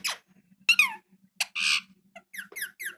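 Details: Pet parrot talking indoors: scattered short harmonic squeaks and chirps, some sliding downward, a noisy burst near the middle, over a steady low background hum.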